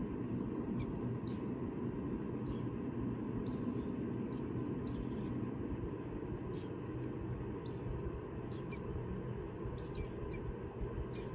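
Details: Hand-reared killdeer chicks, hatched in an incubator from eggs found in harvest fields and being rehabilitated for release, give thin, high peeps, often in quick pairs, about fifteen in eleven seconds, over a steady low indoor rumble.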